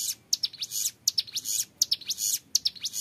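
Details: Young ciblek gunung singing 'ngebren': crisp high buzzy bursts punctuated by sharp clicks, three or four clusters in quick succession.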